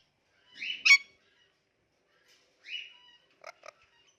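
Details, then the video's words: Talking pet Indian ringneck parakeet making cute noises. A short, buzzy, harmonic squawk comes first, then a sharper burst and a drawn-out nasal note. Two quick dry clicks close the sequence. "Talking Indian Ringneck Parrot Making Cute Noises"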